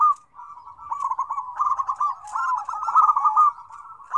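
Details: Zebra doves in a crowded combination of calls used as a lure for quiet doves. Stuttering coo notes build into loud, rippling phrases through the middle, then ease off toward the end.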